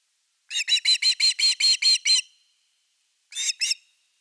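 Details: Osprey at nest number 3, 30 August 2021, evening fish: a rapid series of about nine whistled chirps, then after a second of quiet two more separate notes.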